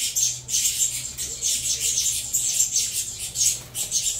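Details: Begging saffron finch nestlings, crossbred from Venezuela CMA and CVK 103 stock, clamour during feeding with rasping, sibilant high-pitched squeaks that pulse on and off without pause, over a soft low background hum.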